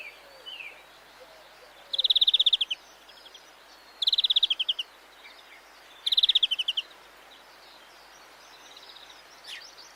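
A European greenfinch gives three rapid, high trills, each under a second long and spaced about two seconds apart, over a faint background hiss.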